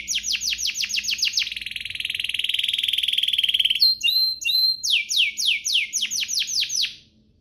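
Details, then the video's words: Canary singing to provoke other canaries, opening with fast falling whistled notes, then a long buzzy trill, a few short whistles, and another quick series of descending notes. "Pancingan kenari biar gacor"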